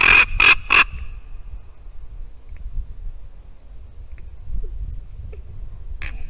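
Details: At a Latvian white-tailed eagle nest on a December morning in 2019, visiting ravens give three rapid, grating, rasping calls, then the scene falls quiet apart from soft ticks and a low background hum.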